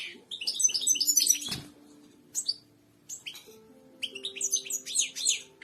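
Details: Royal goldfinch song for teaching caged birds: quick, high chattering twitters in separated bursts, a soft thump near the middle, and faint steady low humming tones underneath.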